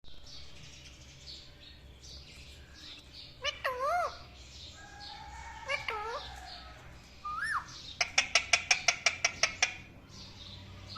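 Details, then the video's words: Parrot calling indoors: a few loud wavering whistled squawks, then a fast burst of about a dozen sharp repeated chirps, over a low steady hum. "Parrot calling sounds| Parrot loud sounds| parrot chirping sound"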